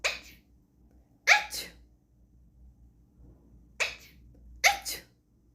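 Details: Pet talking Alexandrine parakeet sneezing: four short, sharp, hissy bursts, some in quick pairs, separated by quiet pauses of one to two seconds, with a faint low hum behind.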